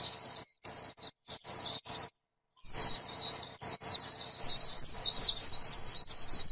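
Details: Líu song from a white-eye on grassland: short, separate high chirps at first, then after a pause a fast, continuous chatter of thin, sweet twittering notes.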